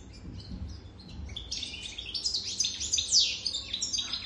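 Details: European goldfinch over three years old singing: after a quiet opening second, a fast, high twittering run of tinkling notes and short buzzy trills, growing louder toward the end over a low background hum.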